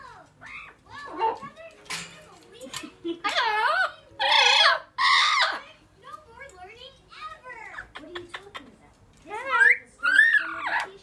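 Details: Four-year-old female Blue-fronted amazon kept as a pet, chatty and excited because she knows it is time to come out, producing a string of varied speech-like phrases and squawky bursts in a small indoor room.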